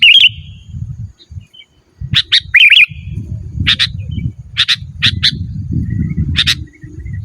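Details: Sooty-headed bulbul in full song, a natural recording with no other species' phrases mixed in, used to call rivals and lure wild birds: a bright warbled phrase, then short sharp chirps at uneven intervals over a steady low rumble.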